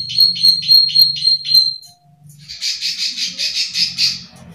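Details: Plain prinia of the rice fields, kept as a lure bird, repeating fast dry clicking notes in a steady series, then a brief gap followed by a harsher, broader buzzing run of pulses.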